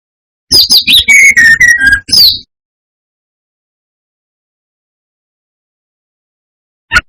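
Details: Brown-chested jungle flycatcher lure song aimed at rival birds: a fast burst of high notes sliding down into lower whistles, closing with a high slurred note. A brief click follows much later.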